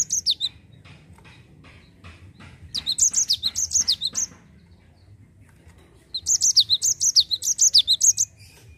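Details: Java sparrow in continuous rolling song ('ngerol'), used to lure other birds into singing: a brief opening burst, then two longer runs of high, quick, descending tinkling notes, several per second, over a faint low hum.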